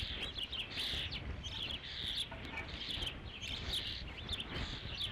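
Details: Ospreys at their Dunrovin Ranch nest, 3 July 2016, during the fifth fish delivery. Dense, harsh high chirps come in clustered bursts over a constant low rumble.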